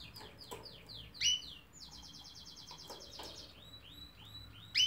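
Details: Canary singing a varied phrase: swept downslurred notes, a loud sharp chirp, a long fast rattling trill at high pitch, then more curved whistles and a final loud note.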